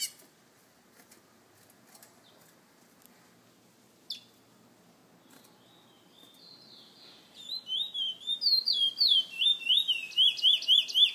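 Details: Caged bullfinch, San Fernando: mostly quiet at first with a few scattered chips, then a rising whistled phrase leads into fast, loud, rhythmic warbling of looping high notes over the final four seconds.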